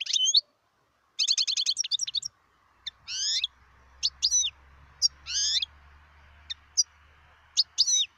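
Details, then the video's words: Singing wild European goldfinch, recorded 2018: a quick stuttering trill, followed by sweeping slurred whistles and isolated sharp chirps, with a faint low hum underneath. "صوت الحسون البري"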